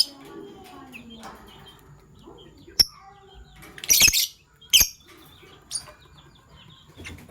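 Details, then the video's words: Morning chirps from PB Violet and Euwing Gold Opaline Fischer's lovebirds: a single sharp note, then two loud harsh bursts, over a soft background of low murmurs and faint warbles. "Lovebird Chirping Sounds - PB Violet Fischer & Euwing Gold Opaline Fischer"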